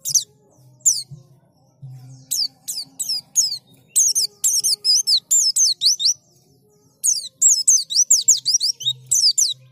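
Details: White-eye song used as a lure so that white-eyes open their beaks and sing: rapid runs of thin, very high, slurred notes sweeping down and up, in bursts broken by brief pauses, with a faint low hum early on.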